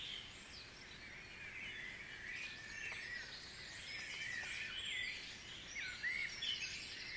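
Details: Dawn chorus of many birds at Guisborough: a dense, overlapping wash of chirps, trills and whistled notes, with a few brighter rising and falling phrases standing out near the end.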